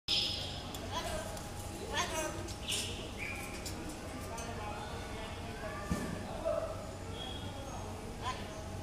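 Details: An African grey parrot (Psittacus erithacus) gives speech-like chatter mixed with short, clear whistles and squeaks, against an indoor room hum with a few dull knocks.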